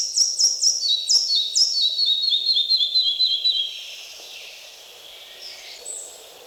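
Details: Red-breasted Flycatcher in Polish forest of Wielkopolska National Park: energetic repeated two-part whistled notes descending in pitch over about three and a half seconds, followed by quieter high thin notes from other birds.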